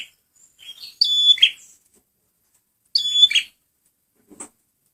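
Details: Red prinia male singing as a lure: two strong phrases about two seconds apart, each a high clear whistle breaking into a buzzy rattle, then a short faint click near the end.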